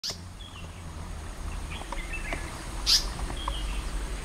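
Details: Immature Asian paradise flycatcher, a small bird with a still-short tail, active near water; two harsh, rasping notes sound at the start and near three seconds, with faint distant chirps and a low background hum.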